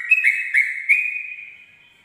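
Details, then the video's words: Brief bit of a sooty-headed bulbul's dawn 'ropel' song: three quick whistled notes, then one long steady whistle that slowly fades out. "pancingan trucuk ropel subuh"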